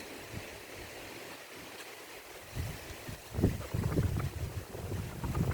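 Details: Steady wind hiss with low rumbling bursts in the second half, and no animal voice heard.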